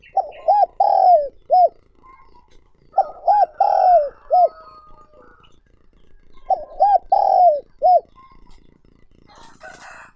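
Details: Spotted dove calling as a lure for wild doves: three cooing phrases of short looped notes around a longer sliding coo, a faint rustle at the end.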